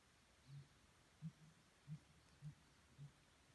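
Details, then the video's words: Unidentified bird calling around 7 AM on May 6, 2017, on Larch Mountain Road, Oregon: five deep, soft hoots, one roughly every 0.6 seconds, over a quiet background. "Strange Bird Sound"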